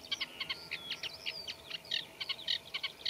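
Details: Eurasian reed warbler singing from a reed bed, its song including mimicry of other birds. Clipped chattering notes mix with a drawn-out whistled slide near the middle.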